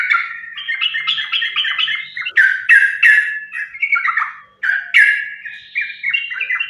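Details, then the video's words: Sooty-headed bulbul in continuous fighting-style chatter, played as a lure to draw other bulbuls into song. Jumbled, warbling notes run into louder bright, sharp phrases, with a brief gap before the chatter resumes. "trucukan gacor tarung sambung ropel ini ampuh buat pancingan trucukan agar bunyi"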